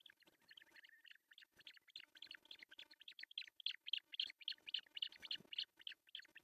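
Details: Osprey at an artificial nest camera in Pohjois Satakunta, Finland, on June 10, 2024, as the male brings a big fish for breakfast. Rapid, dense run of high, sharp chirps, closely overlapping and repeated several times a second.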